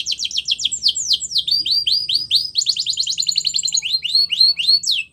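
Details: Singing male canary delivers a fast, continuous run of clipped high notes that shift into swooping whistled slurs and rapid rattling tours, with a final rising whistle.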